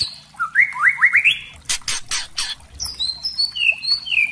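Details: Lure song of a spotted white-rumped shama for drawing other shamas into singing: quick rising whistled upsweeps, a few loud harsh rasping bursts, then high clear whistles, some held and some dropping.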